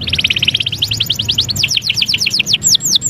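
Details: Canary (kenari) in lively song: a rapid run of high, sharply slurred whistles repeated many times a second, slowing at the end into a few separate arched notes, over a low steady hum.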